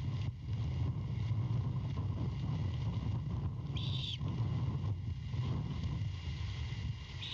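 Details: Great horned owlet at a nest near Savannah, 23 February 2022, around 23:36, begging as its mother returns with a rat after five hours away; one hoarse hissing screech near the end, over a steady low rumble.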